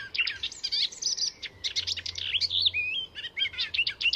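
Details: Icterine warbler singing in Sweden, incorporating other birds' calls: continuous fast medley of scratchy chatters, high whistles, and twisting slurred notes without pause.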